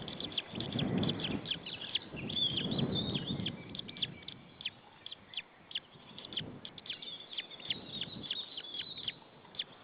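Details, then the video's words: Solitary white-tailed eagle chick on a nest camera at Saunja, Estonia, 26 April 2013, after the parent left; dense high peeping throughout, with low rumbling gusts of wind or mic noise in the first half. "The baby is alone and tjirping"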